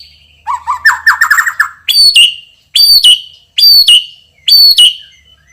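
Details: Champion white-rumped shama, loud and strong with rich fill phrases: a rapid, rattling chatter of short notes, then four identical ringing phrases, each a piercing whistle falling to a lower note, about one second apart.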